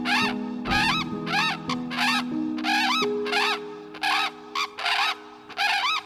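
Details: A Brolga of a pair raising young on a Queensland, Australia property gives protective alarm calls at a hint of danger. The calls are loud, harsh trumpeting notes, about nine in six seconds, bunched in quick runs, over soft background music.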